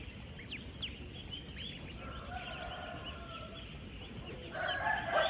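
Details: Peeping from 10-day-old ducklings among some 16,000 on a working duck farm: quick, high, slurred chirps tumbling over one another, then a louder harsh drawn-out call from another bird near the end, with constant background hum.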